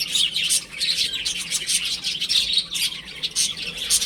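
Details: Chicks playing at home, sharp high peeps fired off rapidly in uneven bursts, some louder individual notes standing out from the chorus.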